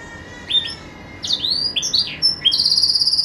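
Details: Pet green canary at Jaesan sings clear sliding whistles in quick succession, ending in a fast, even, rattling trill.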